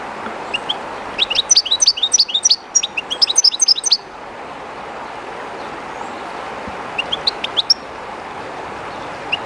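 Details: European goldfinch, a kept bird near the stream of the Jerte River, somewhat shy there; two bursts of rapid high twittering early on, then river rush with a few isolated chirps later.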